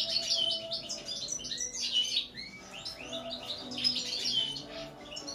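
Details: Fast, bubbling goldfinch song: high chattering twitters and a short slurred whistle, in two dense phrases with a brief lull between, faint low hum beneath.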